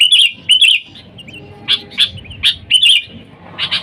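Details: Sooty-headed bulbul, lively and calling its wild kin for luring: opens with bubbly warbled phrases, then spaced single and paired sharp chirps over a faint low background.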